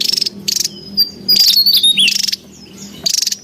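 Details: Javan tesia calling in the wild, a lively lure and training sound: short buzzy pulsed rattles alternate with thin, sweeping high whistles that dip and rise, bursts coming about every half second, with faint insect hum beneath.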